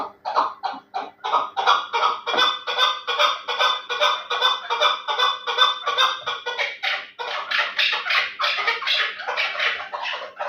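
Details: Terali chukar partridge, a strain valued for fighting and hunting, giving a loud, rapid series of harsh chuck notes, about two to three per second, steady throughout with rising intensity near the end; no other sounds.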